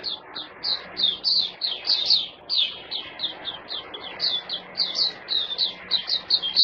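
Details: Puteh, or white-eye, a kept songbird in Singapore, sings a fast, continuous run of high, sharp, downslurred chirps. The notes come several per second, with slight pauses and a steady soft hiss behind.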